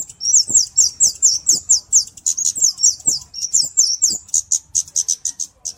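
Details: Kemade flowerpecker song, a recording used to teach other birds and as a lure: a fast, steady run of sharp, high, downslurred chips, about three a second, with faint low knocks beneath.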